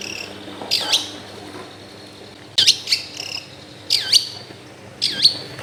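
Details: Long-tailed shrike song used to draw out a silent bird, recorded at home in a crowded area: four short bursts of high, swooping, slurred notes spaced about a second apart over steady low hum.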